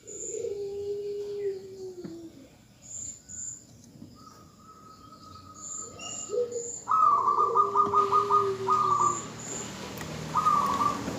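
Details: Female zebra dove calling for a male: low, sliding coos and a thin level whistle lead into a fast, rattling trill. A second buzzy burst follows, with sparse high chirps and a faint hiss.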